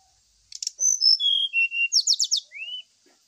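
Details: Brown-chested jungle flycatcher lure song, used as therapy while birds are aired in the morning dew: a rapid sequence of high, clear whistled notes and slurs, ending in a rising buzzy trill, over a steady high hiss.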